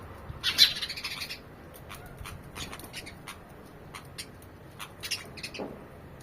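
Sparrows give short, bright, sharp chirps in an irregular scatter, a quick burst at the start and then single notes every second or so.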